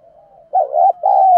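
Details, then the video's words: Spotted dove, cooing to provoke fighting, delivers a brief loud two-part coo, a throbbing note and a longer sustained one, after a soft lead-in. "cu gay kich boi nhanh noi gù. cu gáy thúc đấu"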